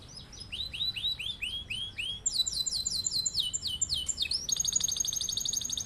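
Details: Singing canary used as a master for other birds to copy, delivering varied high phrases: a run of repeated slurred upswept notes, then quicker buzzy downslurred figures, ending in a fast, dense rolling trill.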